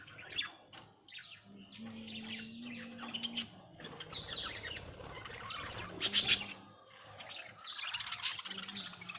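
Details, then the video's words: Budgerigars in a home setting giving a varied stream of chirps, downward-sweeping whistles and scratchy chatter, with a burst of loud notes midway. "Bajrigar birds at home"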